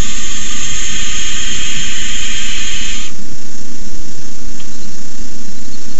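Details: Barn owl owlets hissing at their nest at night, 9:57 pm on 18 May 2015, while an adult delivers a rabbit; one long unbroken rasping hiss for about three seconds, then only low background hum.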